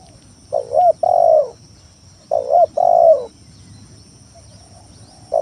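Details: Spotted dove lure song, loud and continuous, meant to provoke rival doves and coax reluctant ones into calling: paired hollow coos, a short note then a longer wavering one, repeated about every two seconds.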